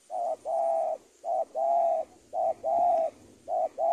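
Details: Spotted dove cooing in a tutoring recording for training birds, 'super penguku' style: clear, mellow phrases of one short note plus a longer level coo, repeated steadily about every 1.1 seconds, with a thin high electronic whine behind.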